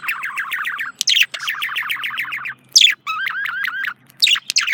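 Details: Male budgerigar chirping: fast runs of repeated buzzy, falling chirps, a few sharp squeaks, and a short stretch of whistled, looping notes, delivered in continuous warbling phrases.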